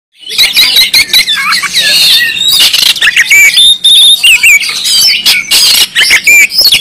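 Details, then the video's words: Oriental magpie-robin from Kalimantan singing hard and persistently: a dense, loud stream of high whistles, trills and sharp chirps packed without pause, ending as a person starts talking. "awas kacer anda ikut nyaut,gacor,dan buka ekor mendengar kacer ini"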